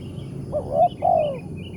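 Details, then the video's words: Close single phrase from a wild spotted dove known for its big 'tarik akar' voice, lured with a decoy one morning. A brief wavering note leads into a longer, loud note that glides downward. Faint high chirps sit in the background. "TEKUKUR SUARA BERSAR"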